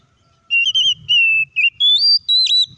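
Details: Oriental magpie-robin song for provoking other magpie-robins to sing: after half a second of quiet, a series of clear whistled phrases, level warbles then higher sustained notes and a sharp downward dip, over soft low rumble.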